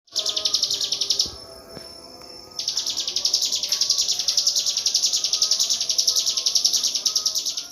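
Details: Cigun, a bird kept as a master recording to teach song to magpie-robins and white-rumped shamas: a long series of fast, high, buzzy repeated notes, broken by a short pause near the start, over faint background noise.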